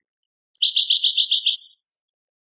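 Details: European goldfinch from Tadmait, Algeria, singing a rapid, even run of bright twittering notes for about a second and a half, ending in a slurred rising flourish. No other sounds.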